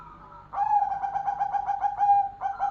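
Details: Perkutut golden (zebra dove) singing energetically, giving a long series of rapid, evenly throbbing coos at one steady pitch for about two seconds, then a short pause and a fresh coo.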